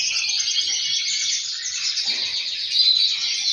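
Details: Captive male canaries singing together, one male answered by others, a noisy chorus meant to stimulate breeding. Dense, continuous high trilling blurs into an unbroken ringing wash, louder near the end.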